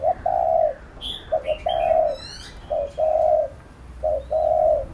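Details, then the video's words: Spotted dove cooing to provoke and train a trainee bird. Three phrases, each a brief low note and then a drawn-out steady coo, come about a second apart, with a few faint bird chirps above. "Cu Gáy THÚC GÙ Siết Bổi Đẳng Cấp"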